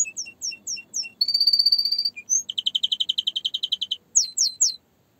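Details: Singing canary moving through distinct phrases: repeated chirps, a fast buzzy trill, a rapid rattling series of high notes, then a few sharp rising sweeps; faint low background hum.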